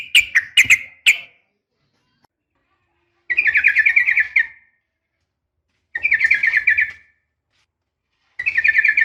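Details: Female sooty-headed bulbul calling a male in a fighting style; a few sharp notes, then three dense buzzy trilled bursts separated by silence.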